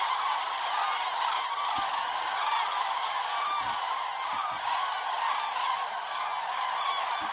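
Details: Autumn migration stopover on Hungary's Hortobágy steppe, with flocks of cranes streaming toward their roost sites from afternoon until after dark; a sustained, dense din of rattling, trumpeting calls, with a few faint clicks and knocks.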